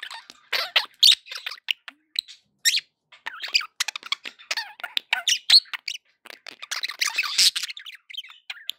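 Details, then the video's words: Budgerigars kept as pets, a run of sharp squeaky chirps and scratchy warbles in quick irregular bursts, some notes sweeping, a denser twittering patch near the end. "1 hour of budgie sounds for pet parakeets to make tham happy"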